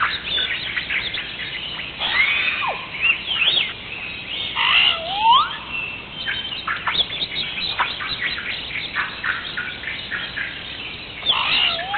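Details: Hawaiian crow calling: a busy run of harsh, hoarse squawks and croaks, some with sharp downward slurs, overlapping and following each other irregularly over twelve seconds.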